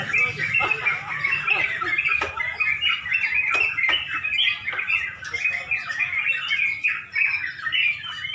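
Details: During a near-dusk bulbul contest in Pemalang, a crowd of Sooty-headed bulbuls keeps up a chattering, whistled chorus, their rapid notes crowding together, with sharp tapping sounds scattered through.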